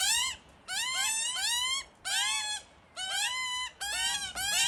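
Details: Hungry Australian magpie chicks hidden in a tree beg loudly for food from their parents. Long, ringing, harmonic cries with rising and falling strokes come in bursts of about a second, split by brief silences.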